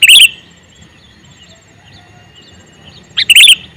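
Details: A male sooty-headed bulbul calls twice, about three seconds apart. Each call is a brief, loud, bubbly run of bright chirps, with quiet between.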